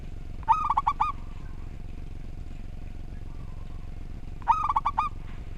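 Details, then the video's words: Local zebra dove (perkutut) in full song, with a neatly arranged voice, used as training audio for birds. Two rolling phrases of rapid, clipped coos, four seconds apart, over a steady low hum. "Perkutut Lokal Gacor Suara Tersusun"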